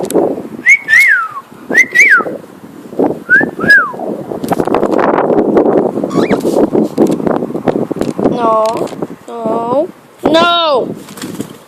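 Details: Pet cockatiel singing and whistling while flying: clear, short, falling whistles come in quick pairs early on, followed by a man talking and calling over a background of rustling.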